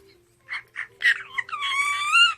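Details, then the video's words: Parrot laughing indoors: two short soft squawks, then a louder burst leading into a drawn-out, wavering tonal note with strong harmonics, sounding like a stretched laugh. "the sound of a parrot laughing 앵무새 웃음소리"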